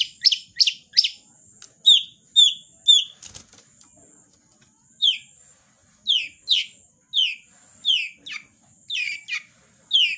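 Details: Long-tailed shrike in energetic song: short descending whistled and scratchy notes, some falling from high to mid pitch, given in quick bursts with brief pauses and a faint steady high tone running throughout.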